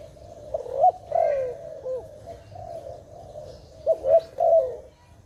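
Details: Dove from a bird-trapping context, tagged as Malay dove: soft low coos with quick rising and falling bursts, several phrases over five seconds against a low background hum.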